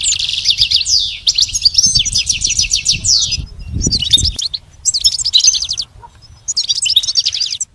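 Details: Goldfinch song played as a lesson for a pet goldfinch: fast repeated trilled phrases of high ticking notes, then shorter separated bursts of twittering after a pause; a low thump partway through.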